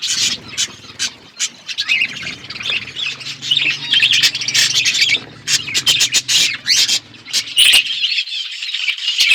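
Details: Budgerigars in an outdoor aviary, a flock chattering at once: dense scratchy chirps and warbles overlapping continuously, with sharp squawks cutting through and a faint low hum beneath.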